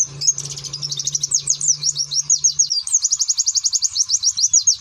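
A white-eye sings a fast, high, twittering song of rapid notes, rising into a quick run of repeated chips near the end; a low hum underlies the start.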